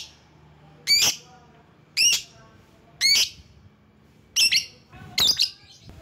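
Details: Lovebird giving calls meant to draw rivals in: five loud, screechy calls roughly one second apart, the last two more broken and chattering, with a faint low hum behind.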